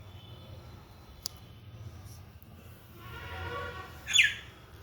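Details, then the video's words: Indian myna, one of a wild pair that visits a home window daily, calling after rain: a drawn-out harsh, buzzy note with layered overtones, then one loud sharp squawk near the end, over a steady low hum. "Indian Myna (Acridotheres tristis), singing & chirping after Rain."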